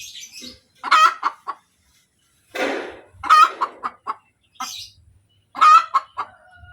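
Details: Domestic hen's post-laying cackle: three loud bursts roughly two and a half seconds apart, each opening with a harsh drawn note and trailing into quick clucks, with a brief rustling noise in between.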